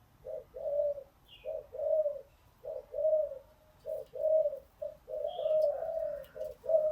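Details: Spotted dove call for training newly caught birds, quieter and more distant: rhythmic low coo phrases about once a second over a steady hum, with brief high chirps from another bird.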